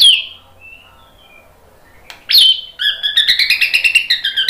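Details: White-rumped shama lure song, meant to provoke other birds to reply. A high downslurred whistle, a quiet pause, then a sharp rising note and a rapid, even, high-pitched trill.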